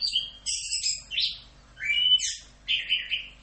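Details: Orange-headed thrush giving a full 'Rock'n Roll' masteran song: loud slurred whistles sweeping down, then rising rich phrases after a brief pause, with a steady faint hum in the background.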